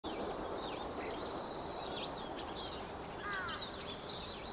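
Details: Dusky thrush, a winter visitor, recorded 23 November 2015 from behind, giving thin, high squeaky calls and short shrill chirps at irregular intervals over a steady rushing background noise.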